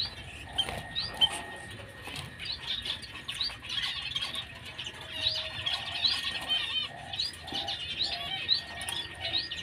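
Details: Constant twittering chatter of white-headed munias, thin high chips and squeaky notes tumbling over each other in irregular bursts, a low whistle briefly heard midway, steady background hum throughout.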